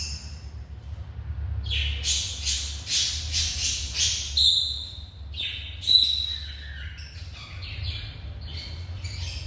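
A cockatiel gives harsh, screechy squawks in bursts, with a steady low hum behind.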